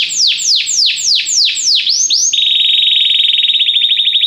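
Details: Belgian canary singing, used for song training: a run of loud, steeply descending whistled sweeps, about five in under two seconds, then a fast, even buzzy trill held at a steady high pitch to the end.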